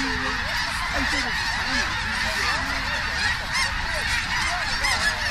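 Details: Tens of thousands of snow geese alighting in Richmond, British Columbia, Canada, on 21 October 2005; a ceaseless chorus of yelping honks, wavy rising and dropping notes crowding together over a hissing flock roar.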